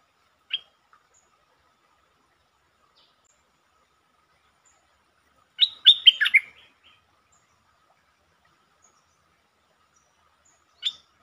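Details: Streak-eared bulbul lure bird on 13 February 2023, singing several song styles including long and doubled songs; a lone chirp, a compact burst of quick bubbling notes midway, and one more chirp after long silences.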